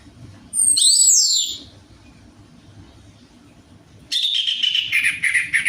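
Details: Orange-headed thrush song, played as a lure to coax a reluctant bird into singing: a burst of high, sliding whistled notes, then a pause, then a dense, buzzy, chattering phrase with rapid high notes.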